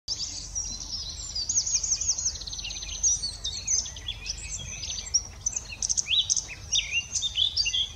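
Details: One of two male Eurasian blackcaps either side of Haskayne Cutting on 17 April 2023, tuning up as temperature rose, sings a fast, unbroken warble of high, scratchy, chattering notes, over a faint low hum.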